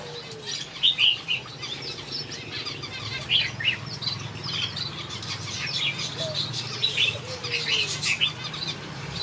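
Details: Finches in a backyard aviary produce sparkling high chirps in bursts, mixed with wing flapping and occasional soft, low sliding notes.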